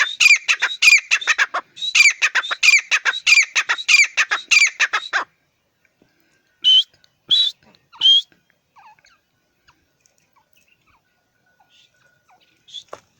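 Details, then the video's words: Francolin, called teetar, giving loud harsh rhythmic call: rapid series of grating notes repeated in two bursts over five seconds, then three separate sharp squeaky notes and a faint final note, otherwise quiet. "francolin voice . teetar ki awaz."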